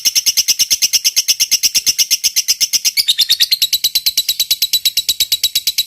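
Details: Fighter lovebird giving the long 'ngekek panjang' song, used as a tutor recording to get lovebirds singing quickly: a rapid, steady stream of high, sharp chirps, about three per second, with a slight drop in pitch halfway.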